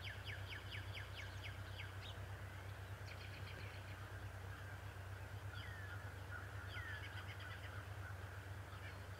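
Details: Adult male bald eagle, Decorah, 11 March 2018 morning: an opening burst of quick high chitters, then faint, sparse squeaky notes, over a persistent low mechanical hum.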